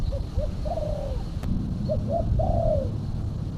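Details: Quiet coos from a female spotted dove, a call used to attract doves: short soft notes building to a longer falling coo, repeated twice, half buried under strong low rumbling background noise.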